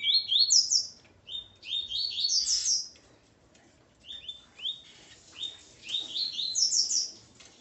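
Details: A male double-collared seedeater, with his female, sings quick bursts of high, sweet slurred notes, rising and falling, in phrases about a second long separated by short pauses.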